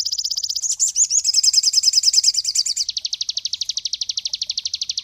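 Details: Cinereous tit song, used for teaching songbirds: a short high trill, then a loud varied run of chattering whistled notes, then a steady fast trill of evenly spaced high notes.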